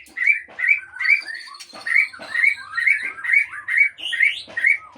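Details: Captive Aceh white-rumped shama at a breeding farm repeats a bright slurred note about every half second, with a faint thin high tone running behind it.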